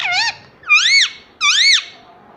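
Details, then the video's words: Parrot giving three loud squeaky calls, each an arched, whistle-like note that rises then falls, with strong overtones, spaced about half a second apart in a quiet indoor setting. "ये तोता सब कुछ बोलता है || parrot talking everything"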